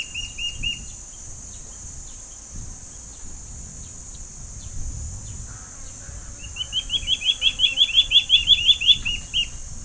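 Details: Two juvenile Gabar goshawks in a tree give begging calls while waiting for their parents to bring food: rapid, high piping notes in a quick rising-falling series, about three per second, over a steady high insect-like hiss.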